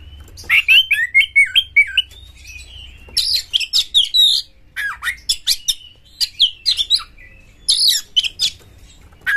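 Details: Magpie-robin (kacer) described as aggressive, sung to make other kacer sing: repeated phrases of rapid, varied chirps and sliding whistles in several bouts with short gaps, faint hum behind.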